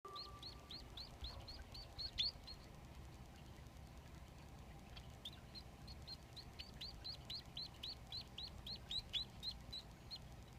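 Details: Three Society finch chicks begging while their father feeds them in a nest. Rapid, high, short chirps are repeated about four times a second in two long bursts, with a faint steady hum in the background.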